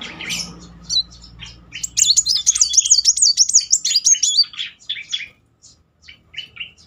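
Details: Van Hasselt's sunbird 'nembak' burst, used as a lure for birds that are not singing. A sustained, high, rapidly wavering trill of about two and a half seconds, followed by scattered sharp chips.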